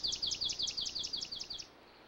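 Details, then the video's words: Swamp sparrow singing a musical trill of about ten quick, repeated two-part syllables over roughly 1.6 seconds, steady in pitch and fading slightly toward the end, with quiet background noise. "Swamp Sparrow"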